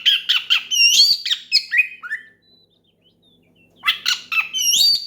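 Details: Oriental magpie-robin belting a loud ngeplong song to summon an opponent and get other magpie-robins singing. A lively run of bright, rising whistles and harsh notes fades into a soft pause, then another vigorous burst starts.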